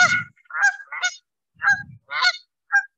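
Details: Canada geese, a male and female pair giving pair calls at a wetland in Davis, California, on 1 May: loud, nasal honks trading back and forth, about six calls in three seconds, some lower grunting notes mixed in.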